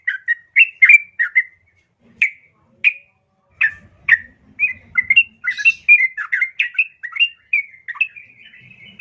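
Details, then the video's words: Female yellow-vented bulbul calls for a male, a lure recording for captive birds: a short bubbly cluster, then spaced chirps that quicken into a lively warbled run. "Pancingan Trucukan Betina Memanggil Jantan"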